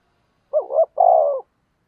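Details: Spotted dove kept as a lure, cooing to provoke wild birds to answer all day: a clean, deep phrase of two short rounded notes and a longer steady coo, with silence around it.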